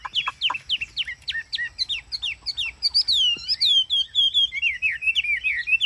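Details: Chinese hwamei, a cage bird in Vietnam in hot weather, performing ngũ trường song: a string of sharp, fast falling notes, then smooth swooping whistles sliding gradually lower.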